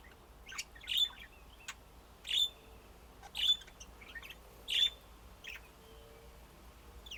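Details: Budgerigar chirps repeated roughly every second and a quarter, each a short, high, slightly buzzy note, with softer tweets between them.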